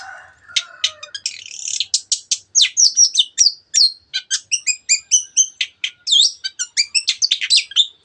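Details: Long-tailed shrike singing continuously as a lure to excite other birds: a long, rapid chain of varied chirps, trills and clear rising and falling whistles, phrases changing every few notes, with no other sounds.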